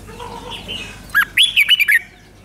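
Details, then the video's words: Red-whiskered bulbul from Thailand, brief five-syllable song phrase: a short lead note then a quick run of clear looping whistles, against a soft background of other faint bird notes. "เสียงนกกรงหัวจุกเบิ้ล2 เบิ้ล3 เพลง 5 พยางค์"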